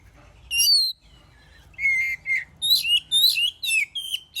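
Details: Oriental magpie-robin, its song used to provoke rival birds into singing; a single high whistle, a pause, two lower slurred whistles, then a fast string of scratchy, rolling phrases.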